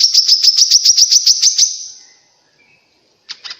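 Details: Grey-cheeked bulbul song used to prompt other bulbuls to respond, for caged birds or luring wild ones: a rapid string of about eleven bright chirps fading out, silence, then two short notes at the end.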